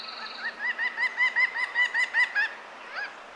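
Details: Presumed female pileated woodpecker of a nesting pair in spring cottonwood forest along the Clark Fork River near Missoula, Montana, flying to the nest tree gives a different call: about a dozen loud, clipped, nasal notes, five a second; brief thin high whistle at start.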